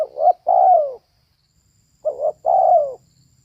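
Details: Two clear coo phrases from a female spotted dove, each a short two-part note followed by a sustained coo that slides down in pitch, about two seconds apart, with near silence around them.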